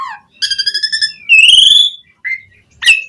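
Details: Asian pied starling with a rich, varied song, played to get other starlings singing: a low note, a quick run of stuttered harmonic pulses, a long rising whistle, then short squeaky notes.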